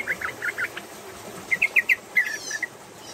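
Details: Female yellow-vented bulbul singing a rapid flowing song while crouching and pushing its tail: quick series of short chirpy notes in two bursts, the second louder and more spaced, over soft background hiss.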